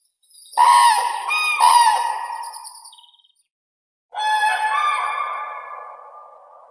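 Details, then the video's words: Common crane bugling twice: a loud, rolling trumpet with wavering pitch, then a pause of about a second, then a second long, resonant call that slowly fades. "Как поет Журавль серый (Grus grus)"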